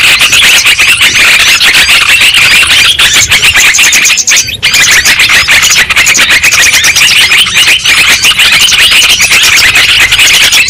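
Several sooty-headed bulbuls give a dense, unbroken chatter of bright, bubbly chirps and squeaky notes that overlap without pause, loud and busy throughout.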